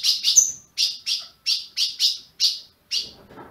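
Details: A captive-bred ultramarine grosbeak calling (piando) gives a steady series of short, bright, high chirps, about two or three each second, with a faint low rumble at the end.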